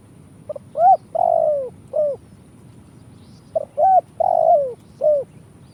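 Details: Spotted dove cooing, recorded as a lure for trapping: two matching phrases, each a soft short note, an upward-hooked coo, a long falling coo and a final short coo, about three seconds apart.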